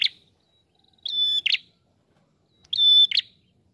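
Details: Lure recording of a red-headed prinia singing eagerly: a buzzy note, then two phrases of sustained high whistle closing with a scratchy burst, separated by silence.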